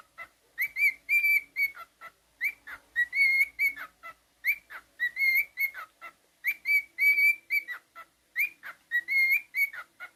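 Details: Pet cockatiel whistling indoors, a lively tune of clear whistled phrases near one pitch with quick rising and falling slurs, repeated in bursts about every two seconds with short pauses.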